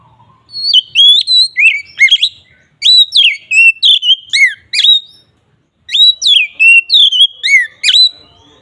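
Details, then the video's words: Oriental magpie-robin singing in the loud, open ngeplong style used as a lure to attract magpie-robins: bright whistled phrases with sharp up- and down-slurred notes, delivered in dense bursts with brief pauses, no other sounds. "suara BURUNG KACER NGEPLONG sangat ampuh untuk pancingan kacer"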